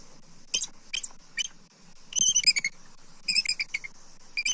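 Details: Bald Eagle: adult female F23 on the attic branch of her nest tree, Southwest Florida, 18 September 2024, calling at what she sees. She gives thin, high, piping chirps, singly then in quick chattering runs of four or five notes, over a steady insect hum.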